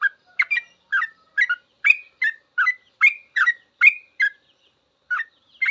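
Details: Sooty-headed bulbul singing full ropel, a long song used as a master for trucukan learning to sing. A steady string of paired liquid, chirpy notes comes at a brisk pace, then a short pause and two more notes. Background is clean.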